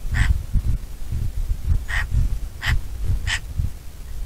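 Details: Short, sharp yelps from a Bonelli's eagle (Aquila fasciata): one note, a pause, then three quick notes close together, with gusty low wind throughout.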